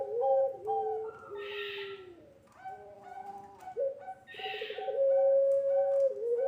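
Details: Puter pelung dove coo meant to train young birds: low, hooting coos falling in steps, then a rapid stuttering onset leading into a long steady held note, with hissing bursts between phrases.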